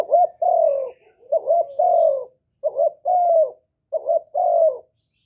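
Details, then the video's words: Loud spotted dove coo recorded directly with no background noise, used to rouse captive doves to sing; three phrases, each a short clipped note followed by a longer drawn-out, slightly falling coo, separated by brief silences. "Cu gáy lớn tiếng, không tạp âm, giọng hay dễ mở, cu gáy kích bổi"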